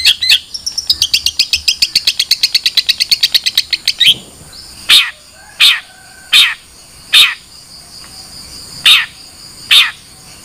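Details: Long-tailed shrike producing a rapid rattling series of dry clicking notes for about four seconds, then loud, harsh, separate chirps spaced roughly a second apart.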